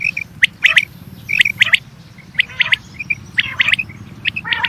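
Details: Quail calling, recorded for attracting quail to hunt, with short crisp notes in pairs and triplets at irregular intervals and occasional buzzy rasps over a soft low background hum.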